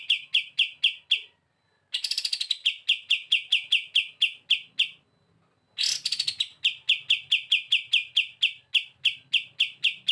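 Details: Lively bren beset song from a kapas tembak used as masteran: rhythmic high chips interrupted twice by silence, each restart opening with a rapid descending rattle.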